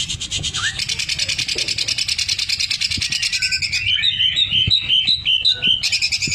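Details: Greater green leafbird in full 'gacor' song, its 'isian mesin jahit' (sewing-machine) filling: a fast, dense, buzzy rattling trill rapidly repeated, shifting into brighter whistled notes and chips near the end.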